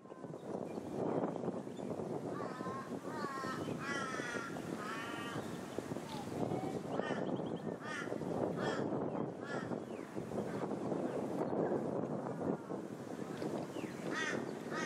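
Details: Plumed whistling ducks filmed on the Sunshine Coast, Queensland, in August 2023 give repeated shrill, wavering whistles over a dense murmur of many calling birds.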